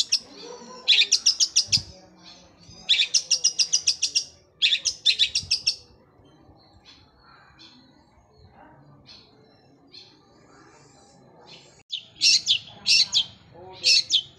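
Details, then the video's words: Long-tailed shrike in gereja Kunti style, with sewing-machine-like rolling bursts: quick stuttering runs of high, harsh notes in three bursts early on, a long quiet stretch with soft faint calls, then fresh sharp bursts at the end. "Cendet suara gereja Kunti tembakannya seperti suara mesin jahit roll speed fighter"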